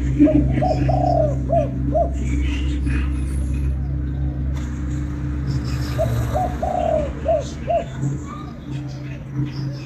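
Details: Vietnamese spotted dove calling to rouse a decoy bird, giving two mellow coo phrases of a stretched note then three clipped hoots, a few seconds apart, with a constant low engine-like drone and faint background noise.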